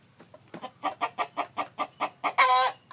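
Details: Chicken calling while a hen sits on eggs: about nine short, evenly spaced harmonic clucks that grow louder, ending in a harsher, drawn-out call lasting a third of a second.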